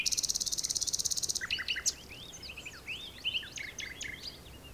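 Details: Common nightingale song from the Texel dunes, captured by digiscoping. It opens with a rattling trill of evenly repeated pulses lasting over a second, then breaks into a quick jumble of varied chirps and slurred notes.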